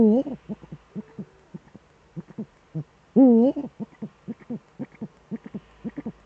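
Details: Male Eurasian eagle-owl at the nest during a December evening duet, Eifel, 13 December 2013, 17:25. Two deep, wobbling hoots about three seconds apart, separated by rapid series of short, low staccato notes.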